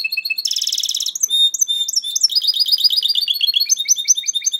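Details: Goldfinch hybrid, 2011, in full continuous song: fast repeated chirps, a dense buzzy rattle, clear held whistles, then rapid rhythmic twittering notes without pause.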